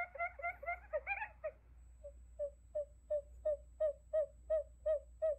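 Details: Buttonquail decoy call for trapping: begins with a tangled burst of chattering, harmonically rich notes, then settles into clear, evenly spaced hollow hoots about three per second, with a faint background hum.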